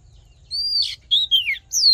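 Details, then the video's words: Oriental magpie-robin fighting song for voice training: a few clear whistled notes, one long sustained, others sliding downward, with brief pauses between. "Hót Đấu Kích Trống Căng Lửa || Luyện Giọng Chòe Than"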